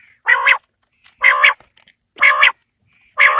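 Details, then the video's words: Quail call recorded for winter evenings: four loud, harsh, buzzy bursts with a nasal, croaking tone, each about a third of a second long, spaced roughly one second apart. "Quail Calling Sound For Winter | Baiter Ki Awaaz Sardiyon Ki Sham K Leya | بٹیر کی آواز سردیوں کیلئے"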